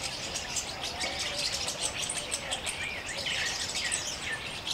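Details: Jungle babblers in a small open-forest flock, mock fights breaking out among neighbouring kin; continuous rasping chatter of many overlapping birds, with rougher bursts louder near the end.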